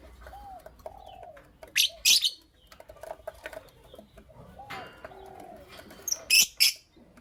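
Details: Lovebirds, Creamino and Lutino Opaline colour forms, chirping in the morning: two pairs of loud, harsh, broadband chirps about four seconds apart, over soft, low arched whistled notes and faint background rustling.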